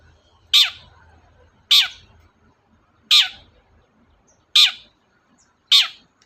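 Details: Long-tailed shrike, vocal and lively, recorded to coax a quiet shrike into song: five loud grating notes spaced about a second or more apart, each sharp onset fading quickly, with a faint low rumble behind.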